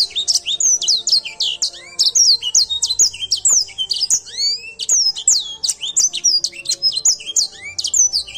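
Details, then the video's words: Grey singing finch in full vigorous song: a dense, unbroken stream of very high, quick whistled notes and sweeping slurred trills, with faint steady low hum behind. "Edel sanger gacor"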